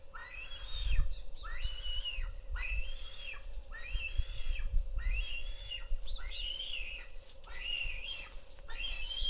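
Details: A Lappet-faced vulture in Israel's Negev, filmed by a nest camera, calls while mating: about seven squealing, rising-and-falling calls, each about a second long, over a low rumble of wind and a steady hum.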